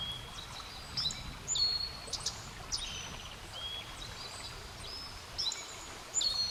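Black-faced Bunting giving thin, sharp, high notes in short bursts every second or so, over a steady rushing background like flowing water.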